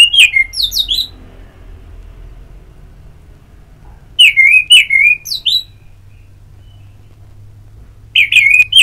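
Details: Ngeplong therapy audio of an orange-headed thrush to stimulate singing: three clear phrases roughly every four seconds, each of sweet slurred whistles dipping and rising with thin high accents, quiet between phrases.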